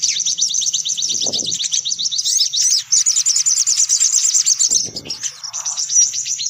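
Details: Lure sound for attracting sunbirds: rapid, thin, high twittering trills repeated nearly three times a second, layered and noisy, with two short low thumps.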